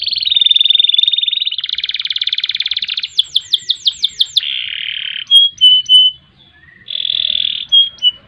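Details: Canary in long gacor song with ngerek, ngerol and nembak phrases: a steady buzzy trill, a coarser rattling roll, then a run of sharp downward-sweeping notes, followed by short whistled tones and another bright trill.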